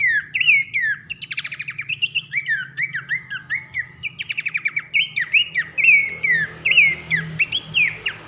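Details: Horsfield's babbler masteran, pelanduk semak style with loud whistling for training songbirds: fast runs of falling whistles broken by crisp stuttering rattles, continuous and energetic, with a soft low hum beneath.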